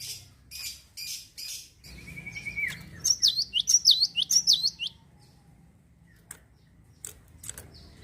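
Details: Java sparrow singing, used to provoke other birds into singing: sharp high chirps and clicks, a short buzzy trill, then a quick run of five bright upslurred whistled notes, followed by sparse clicks in a quiet room.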